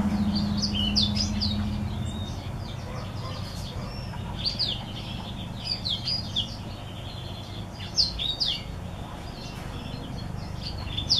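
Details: Green singer white tip crossed with a Timbrado hen, a mule, singing in rapid high twittering phrases with sharp chirps and short trills, bursts repeating several times a second, over a steady low hum.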